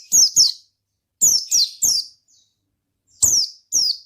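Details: Oriental white-eye giving ngalas-style song, bursts of two or three sharp, high, falling chirps in rapid sequence with short gaps between groups.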